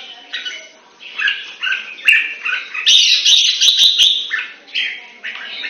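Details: A trained Red-whiskered bulbul, Singapore-style cage bird, delivers a continuous chattering warble of overlapping fluty notes, building to a loud rapid stretch mid-phrase before easing back to softer slurred notes.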